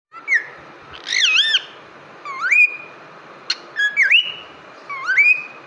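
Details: A pet cockatiel (Nymphicus hollandicus) sings a string of clear, rising and wavering whistles with brief pauses between.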